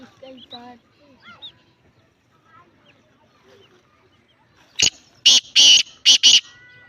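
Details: Black francolin of the Lakka line: after soft whistled and chirping notes from other birds, a loud, harsh, grating burst series of five rasping notes comes in quick succession near the end.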